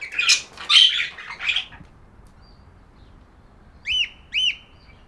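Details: Pet budgerigar chirping: a burst of scratchy, buzzy chatter in the first two seconds, then two short clear arched whistles near the end, with a quiet pause between.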